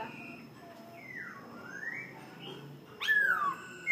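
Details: Vietnamese laughingthrush singing in the forest-voice style; long slurred whistles sweep down and up, then a sharp, loud falling whistle near the end.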